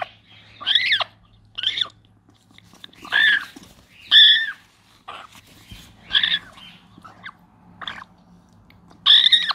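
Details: African grey parrot chick being hand-fed, calling with loud, harsh, wavering squawks that dip and rise, repeated roughly once a second with brief pauses, over a faint low hum.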